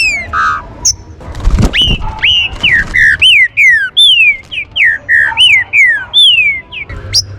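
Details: Green-winged saltator singing a warm-up song in the rain: a rapid run of clear whistled notes, each sliding downward, repeated about twice a second after a brief low thump.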